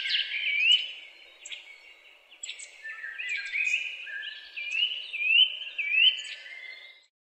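Birds twitter steadily in high, bright chirps and short whistled slurs, overlapping notes tumbling along without a set rhythm over a quiet background.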